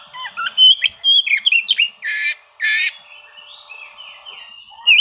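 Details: Oriental magpie-robin song aimed at seeking rivals, meant to draw silent birds into singing: loud mixed phrases of whistles, harsh buzzy squawks and chips, pausing midway, then a faint quieter warble and a final sharp note.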